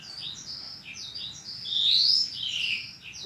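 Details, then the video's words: Caged-bird training song of Horsfield's bushlark, 2022 compilation: quick high chirps and slurred notes leading into a loud, sweeping rising whistle, then buzzy descending notes. "Kumpulan masteran burung branjangan terbaru tahun 2022, dijamin branjangan anda akan gacor"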